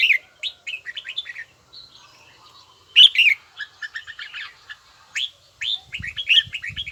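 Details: Red-whiskered bulbul in voice training, sung in a prized bell-like, steady-rhythm style: quick bursts of short warbled and whistled notes, rising and falling in clustered phrases, with brief pauses between runs and faint low thumps near the end.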